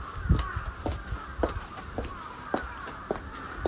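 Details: Crows calling near the summit path of Inariyama at Fushimi Inari, Japan, on 11 February, many birds present; short harsh caws spaced irregularly about a second apart over low rumbling noise and footsteps.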